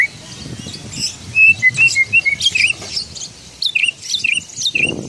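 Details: Oriental magpie-robin imitating a parking whistle: a run of short, sharp whistled notes, then a varied series of chirps and slurs, with steady rumbling noise behind.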